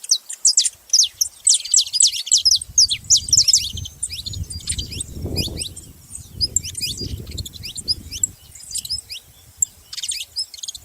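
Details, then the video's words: Saffron finch pouring out dense, high-pitched chirping and slurred whistles, then sparser sharp notes, over a steady low hum of background noise through the middle section. "Canário da terra fazendo barulho"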